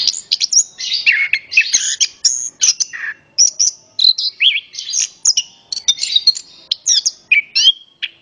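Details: Singing orange-headed thrush, recorded as a lure to make other birds sing: lively strings of high whistled notes, quick twitters and short descending slurs, repeated in rapid bursts.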